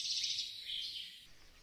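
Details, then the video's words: Eurasian wren singing, captured with a Zoom H6: a brief, high, rapid trilled phrase of fast repeated notes lasting just over a second, then fading into quiet background hiss. "Bird sound #5 - Eurasian Wren"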